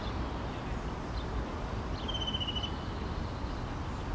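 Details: European greenfinch perched on a fence in Helsinki, Finland, June 2013, gives a single drawn-out, nasal note, slightly falling and under a second long, over a steady low rumble of traffic-like noise.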